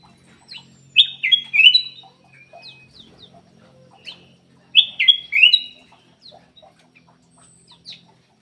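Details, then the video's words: Black-crested bulbul song played as a lure to get lazy songbirds singing. Two loud, clear, whistled phrases of falling notes are spaced about four seconds apart. Faint chirps sound in between over a low hum. "PANCINGAN KUTILANG EMAS MALAS BUNYI"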